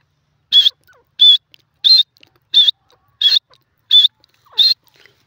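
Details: Grey francolin (teetar) giving a shrill, high-pitched call note repeated seven times at a steady pace, about one every seven-tenths of a second, in an otherwise quiet setting.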